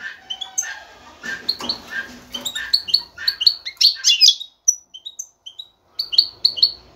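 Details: Male European goldfinch calling for a female to mate with. Lower chattering notes give way to bright, high paired chirps and twitters, followed by a short pause and a final cluster of chirps.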